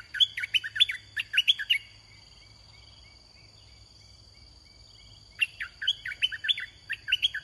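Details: Decoy red-whiskered bulbul in a cage, set out to attract wild bulbuls. Two bursts of rapid, chirpy whistles rise and drop in short repeated figures, separated by several seconds of quiet insect buzz.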